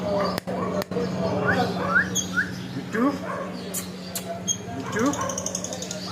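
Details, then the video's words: A talking parrot: short repeated speech-like words with voiced, harmonic syllables, mixed with quick rising chirps, sharp clicks and taps, over a steady low electrical hum. "Talking arrot"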